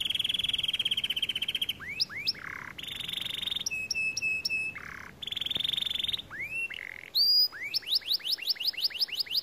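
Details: Varied song from a white canary: long steady buzzy trills alternate with low rolled notes, flat whistles, and quick upslurred whistles repeated rapidly near the end.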